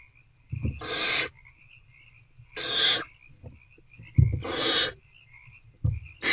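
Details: Evening begging from hungry owlets inside an owl box, 26 February 2024 at 8:13 pm, as they attempt to eat a rodent; harsh hissing screeches repeated roughly every 1.7 seconds, with soft knocks and rustling in the box.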